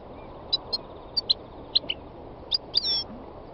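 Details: Sparse, high, sharp chirps from a wild European goldfinch, spaced irregularly about every half second, ending with a short sliding note, over a low steady rumble.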